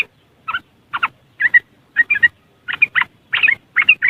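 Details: A yellow-vented bulbul's riwikan chattering from West Java, Indonesia, on a phone recording: evenly spaced paired bursts of harsh, gurgling notes, about two per second, steadily intensifying.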